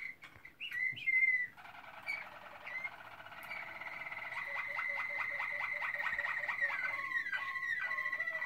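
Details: Malinois Waterslager canary from 2016 singing a long sustained whistled tone over a bubbling trill, followed by rapid pulsed rolls and slurred downward loops toward the end.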